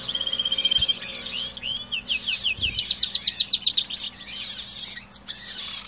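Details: Caged canaries singing: rapid trills and rolling chirps repeated about four times a second, with sharp whistled notes at the start and steady buzzing trills through the middle, a low hum underneath.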